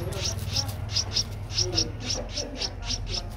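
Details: Nestling streak-eared bulbul aged 12 days, recorded in Ubon Ratchathani, Thailand on 14 April 2023, giving steady high piping chirps about three per second with faint low noise.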